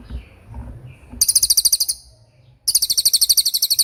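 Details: Cililin 'tembakan' song used to train murai batu and other songbirds: after faint low murmuring, two bursts of shrill, rapidly pulsed high notes, each a quick machine-gun-like series, separated by a short pause.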